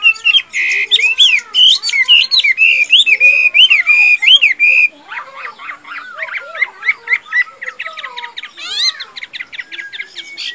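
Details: Tame caged Chinese hwamei, called a strong singer and fighter, sings five seconds of loud, rich whistled loops. A softer stretch of clipped, ticking notes and brief slurred whistles follows.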